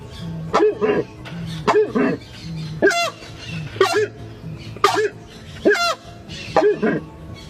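Horned Screamer giving loud, goose-like honking calls, each rising then dropping, repeated about once a second over a low steady hum.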